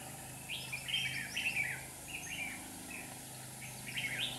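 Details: Decoy red-whiskered bulbul singing beside a trap in Hòa Bình, Vietnam, calling in wild birds: quick chirpy whistled phrases with sliding notes, several bursts in a few seconds, quiet background.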